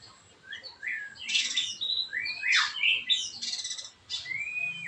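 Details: White-rumped shama singing to provoke other shamas to sing, a rich burst of loud, harsh, high chattering notes mixed with short rising whistles, delivered in quick clusters after a quiet start.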